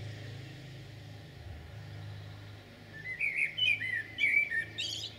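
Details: In Jūrmala on 11 June 2022, a common blackbird gives a brief warbled phrase with high chittering notes in the last two seconds, after a stretch of low rumbling hum and no birdsong.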